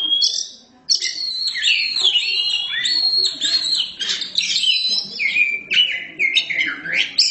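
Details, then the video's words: Oriental magpie-robin with black plumage singing loudly: after a short pause comes a long run of fluty whistles, rapid slurs and chattering notes that shift up and down in pitch. "Kacer hitam gak pernah malu untuk gacor"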